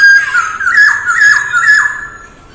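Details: Early-morning voice-training song of a masked laughingthrush, mái ro ro style: clear whistled notes that dip and rise, repeated about twice a second, fading out at the end.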